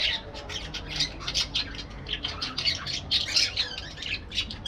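Parakeets chatter with dense, scratchy squawks and chirps, overlapping in quick bursts several times a second, harsh and high-pitched throughout.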